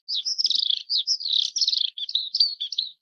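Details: Oriental skylark in Taiwan, where the subspecies wattersi and coelinox occur in low-elevation dry fields and grassland: a continuous, high, rapid warbling with fast trills and buzzy chirps, no pauses.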